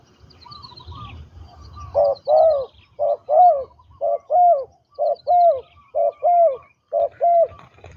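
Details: Spotted dove, a trained decoy bird used for ground trapping, giving a steady series of low, hollow two-part coos, about one phrase per second, rising then falling. Faint high chirps from other birds sound early on.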